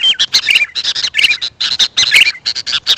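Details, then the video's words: Sooty-headed bulbul calling, a lure sound for wild birds: quick clusters of bright chirps mixed with short downward-slurred whistles, coming in bursts with tiny gaps throughout three seconds. "Suara Burung kutilang untuk pemanggil Burung liar"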